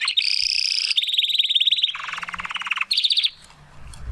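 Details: Spanish Timbrado canary, a young male trying to complete his song: continuous rolling trills that shift between pitch levels, dropping lower in the middle, then rising again before stopping.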